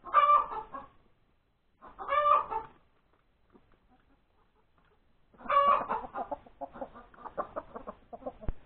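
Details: Hen announcing a laid egg on Sunday morning, 31 January 2021, at breakfast: two loud drawn squawks close together, a quiet gap, then a third squawk running into a fast string of clucks, ending with a tap.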